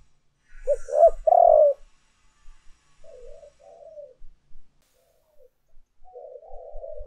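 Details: Spotted dove calling coos for luring: a single strong phrase of short rising notes and a drawn-out coo, then a string of faint, wavering low coos.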